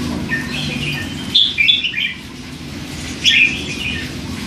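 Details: Young hand-fed red-whiskered bulbul, three months old, in a cage: soft quiet chatter, then two brief louder bursts of bright whistled notes about two seconds apart, over a low hum.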